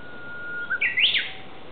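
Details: Japanese bush warbler song in the woods of Aoba-no-Mori Park's ecology garden. A thin, lower whistle is held steadily, then it climbs through short notes into a loud, bright, rising-and-falling flourish before ending.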